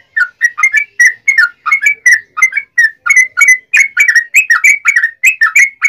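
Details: Long, fast song of a yellow-vented bulbul, used as a lure to stir other bulbuls to sing: rippling, chattering whistled notes tumbling in quick succession throughout, getting slightly louder toward the end.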